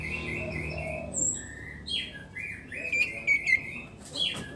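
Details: Captive orange-headed thrush after moulting delivers drawn-out whistled notes, then a string of short, bright, rising and falling whistles, with faint low background noise throughout.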